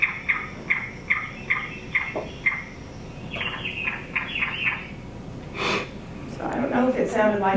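Yellow-billed Cuckoo giving a run of about seven short, hollow notes spaced under half a second apart, then a faster chattering series; a voice comes in near the end.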